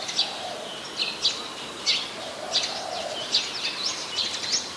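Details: Brown-throated sunbird, Ubon Ratchathani, Thailand, 13 January 2021, Nikon P1000 recording: bright, high, clipped chips and short upslurred notes spaced irregularly, over a faint low background murmur.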